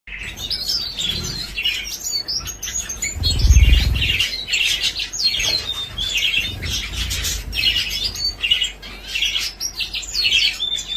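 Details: Many zebra finches in a breeding colony give busy, high, nasal chirps and short buzzy notes that overlap almost constantly, with low rumbling handling noise in the background.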